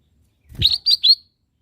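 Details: Training song of a lesser green leafbird for caged birds: three rapid, clear whistled notes in a brief phrase, the last rising slightly, preceded by a soft low thump.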